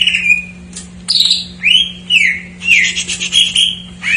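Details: Filler-laden greater green leafbird song used to stir untrained or stalled birds: clear whistled notes, some sliding down, others arching, delivered in quick separate phrases over a constant low electrical hum.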